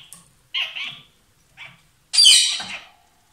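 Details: Two lovebirds calling loudly: a short scratchy chatter, a brief chirp, then a long harsh, shrill screech, with silence between the sounds.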